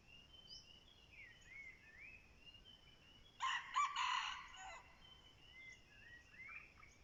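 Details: Red junglefowl used as a decoy for wild junglefowl, giving one rough, clipped crow that breaks into a few bursts and trails downward. It sounds over steady background noise, with scattered whistled notes from other birds before and after.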